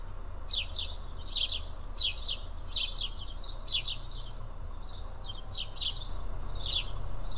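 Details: A group of house sparrows eating together at Karyotissa, Greece, keeps up repeated sharp, slurred chirps, roughly one burst per second with some doubled notes, steady over a low background rumble.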